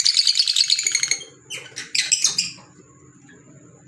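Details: Pet green Fischer's lovebirds chattering: a rapid run of shrill, buzzy chirps for over a second, then harsh bursts near the middle and a quieter stretch with a thin steady whine behind.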